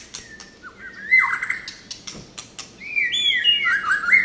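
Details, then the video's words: White-rumped shama singing rich, slurred whistles that rise and fall in varied phrases, mixed with sharp clicking notes; no other sounds stand out. "shama นกบินหลาดง"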